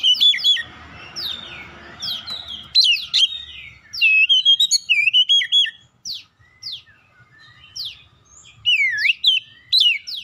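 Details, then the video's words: Long Oriental magpie-robin song meant to stir other birds into answering: varied whistled phrases and sharp falling notes repeated in clusters, with brief gaps between bursts and a softer hiss early on. "KACER LAIN LANGSUNG RESPON GACOR SEKALI PANCING"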